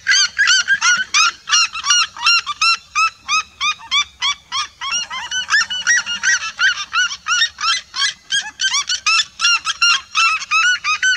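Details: A flock of red-legged seriemas calling together in a vibrant chorus: loud, rapid yelping notes repeated nearly three times per second, overlapping voices with stacked harmonics, continuous throughout with no pauses.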